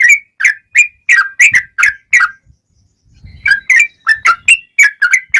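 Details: Sooty-headed bulbul singing its fighting song: a quick series of whistled downward-sliding notes, a short break with soft rustling, then the rolling whistled run resumes.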